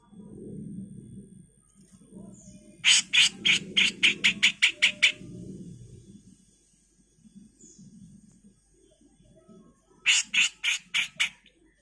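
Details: Grey-cheeked bulbul in full, harsh song, used as a master recording for training songbirds: rapid series of about ten harsh, buzzy notes over two seconds, a pause, then another burst, with a soft low murmur beneath.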